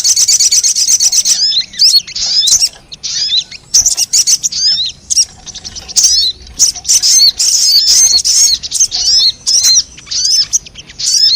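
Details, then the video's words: Sogon calls played as a lure to attract wild birds: high-pitched sharp chirps and hooked whistled notes in irregular bursts with short gaps, lively and scratchy throughout. "Suara pikat burung sogon 💯% bikin sogon liar berdatangan"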